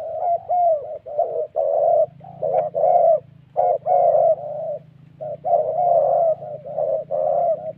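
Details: Wild spotted doves in Gia Lai, in Vietnam's Central Highlands forest, answering a ground decoy during trapping. Continuous, dense cooing with breathy notes that rise slightly then fall, phrases packed closely with brief gaps, and a steady low hum behind.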